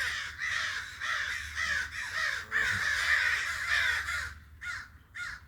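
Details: Rapid chain of hoarse crow caws, nearly two per second, rough and nasal, with a few quieter calls trailing off at the end.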